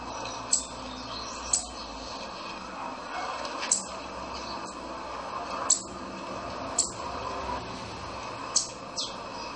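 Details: Buffy-fronted seedeater (Sporophila frontalis), chanchão song.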